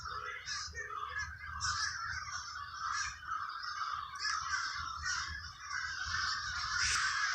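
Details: Crows in the Villa Park neighborhood of Trenton, New Jersey, a dense flock chorus of harsh overlapping caws that runs without pause through the whole stretch, with a faint low rumble underneath.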